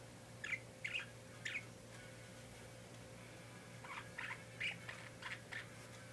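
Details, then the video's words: Pet parakeet giving short, scratchy chirps in two bursts, three quick notes then a pause and five or six more, against a low constant hum. "My Parakeet Making Noise"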